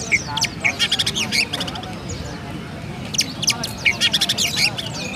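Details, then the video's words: Gereja-style song from a caged Oriental magpie-robin in Pemalang, Central Java, Indonesia: two clustered bursts of rapid, bright chirps and squeaky notes, separated by a quieter gap, with low background rumble. "Burung Kacer Rasa Gereja"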